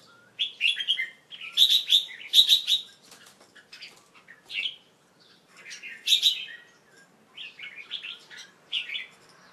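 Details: Young male Red-whiskered Bulbul kept as a pet, late afternoon, 1 January 2012, after bathing; bubbly, loud warbled bursts with brief gaps, louder around the second and sixth seconds.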